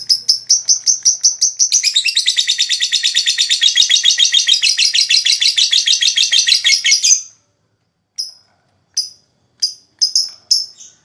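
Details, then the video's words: Lovebird ngekek used to spur rival lovebirds into song: separate high chirps that quicken into a dense, buzzy trill lasting several seconds, then stop, followed by a few scattered sharp chips. "Suara LoveBird Terapi,Rangsang Lawan Cepat Ngekek,LoveBird Ngekek Gacor"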